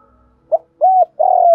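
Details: Spotted dove used as a lure bird to provoke wild doves, giving a cooing phrase: a short soft note, an arched hollow coo, then a longer rolling purr sliding downward.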